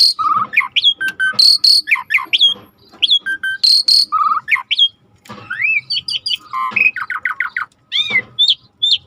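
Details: Varied, fast song of a rare starling in a river-sound tutoring recording: sharp upslurred whistles, flat tones, trills and buzzy bursts in quick alternation, one smooth rising whistle midway, and a repeated run of descending notes near the end.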